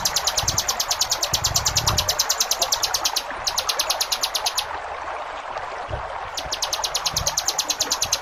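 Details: Masteran recording of a ciblek gunung in fast 'ngebren' delivery: high clipped notes repeat quickly in long runs, break off briefly twice, then resume, over a background of running water.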